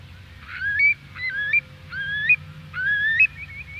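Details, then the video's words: Eurasian curlew on the Isle of Man, UK gives four rising, slurred whistled calls about three-quarters of a second apart, with other waders and a bell-buoy in the distance over a low steady hum. "Curlew. Calls"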